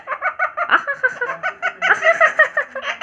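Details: Pet Indian ringneck parrot making funny sounds indoors: a fast run of short, giggle-like nasal syllables, about three per second, uneven in rhythm, in a small room.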